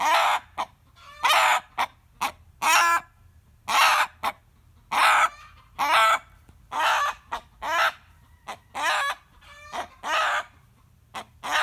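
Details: A rooster gives its usual screaming reply to a hen's cackle. A long run of harsh, rasping squawks and short piercing yelps continues almost without pause for nearly twelve seconds.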